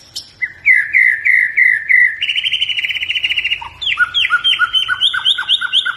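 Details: White-rumped shama in full song, used to coax other birds into singing: rising whistles, a rapid stuttering rattle, then a fast run of crisp downslurred notes.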